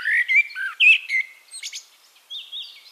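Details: Eurasian blackbird singing in Castricum, the Netherlands: mellow fluted whistles around the low-middle range, a sliding warble, then higher thin twittering phrases closing the strophe.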